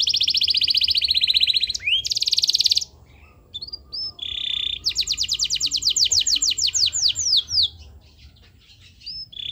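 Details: Canary song played to trigger other canaries to sing: a long buzzy trill, short rising whistles, a rasping burst, then a fast run of repeated notes about three per second, ending in scattered whistles.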